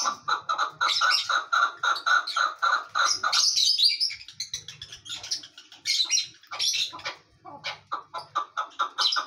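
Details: Chukar partridge calling: a fast, rhythmic run of harsh clucking notes for about three seconds, then broken chattering phrases. Sparrow-like chirps overlap throughout.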